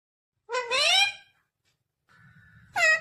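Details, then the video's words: Green ringneck parrot talking: a loud, harsh, rising word-like utterance rich in overtones, a pause, then a steady mid-pitched tone over a low rumble, ending in another short, strident burst. "Natural sound of talking ringneck green parrot"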